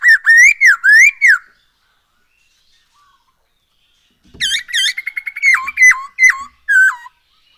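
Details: Lure song of a black-throated laughingthrush for making birds sing: a wavering rise-and-fall whistle phrase, a pause, then a busy stuttering series ending in several loud notes that drop steeply.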